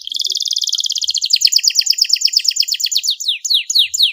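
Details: Canary tutor song in cengkok style: a rapid high trill shifting into quick repeated downward sweeps, slowing to spaced, loud falling whistles near the end.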